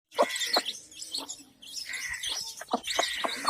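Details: Mother hen with her baby chicks; high thin chirps come in short bursts, mixed with sharp clicking and rustling sounds between the calls.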